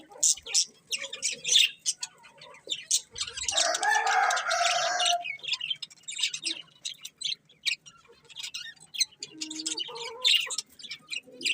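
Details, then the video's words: Colourful budgerigars chatter in fast, irregular high chirps, around three per second, with a loud raspy warbling burst in the middle and softer squeaks near the end. "Cute Colourful Budgies Chirping Sounds"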